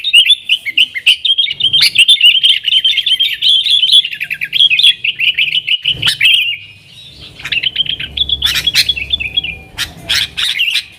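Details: Trucukan, the yellow-vented bulbul, in energetic 'nggaruda' song meant to attract wild sooty-headed bulbuls: a long chattering warble of quick, bubbling notes, a short pause near seven seconds, then further bursts and sharp chips.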